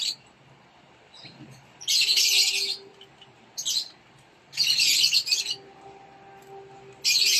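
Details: Peach-faced (rosy-faced) lovebird chicks being fed by a parent inside a nest box give harsh, hissing, raspy begging bursts about a second long, in high-pitched runs every couple of seconds, with a faint steady hum.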